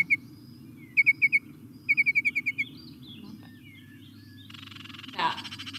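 Baltimore Oriole: short clear whistled intro notes, then a quick run of about eight even notes and a warble, ending in a harsh scolding chatter over a low hum.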